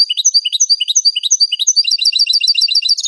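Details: European goldfinch song recorded clean to train captive birds: repeated bright twittering motifs, tinkling and fast, quickening into a dense chatter of high notes.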